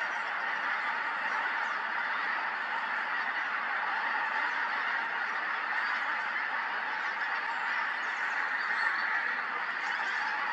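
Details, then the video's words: Flock of pink-footed geese, Montrose Basin, October 2020: an unbroken clamour of many overlapping nasal honks and yapping calls at even loudness. "Pink-footed Geese, Montrose Basin October 2020"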